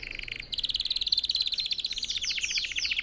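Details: Red factor canary singing as a teaching recording for other birds, a dense rapid trill followed by sweeping repeated chirped notes.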